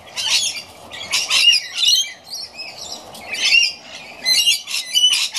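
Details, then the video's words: Rainbow lorikeets screech and chatter in harsh, overlapping bursts, several calls crowding together every second or so, while feeding in the afternoon, 19 September 2016. "Rainbow Lorikeets Feeding"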